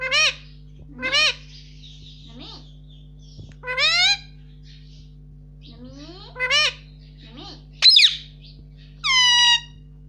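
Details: Pet Indian ringneck parakeet repeatedly saying "mummy": bright, high, two-syllable harmonic utterances, several seconds apart, each with a rising-then-falling pitch, against a steady low electrical hum.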